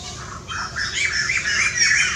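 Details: White-crested laughingthrushes, recorded 18 February 2019, give harsh, squawking chatter, several overlapping calls in a rough, continuous babble over a low background hum.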